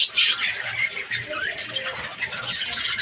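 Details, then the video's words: Breeding colony of budgies, Australian parrots, in Pakistan: busy overlapping high chirps and warbles from many birds, loudest at the start. "australian parrots budgies ke birds colony"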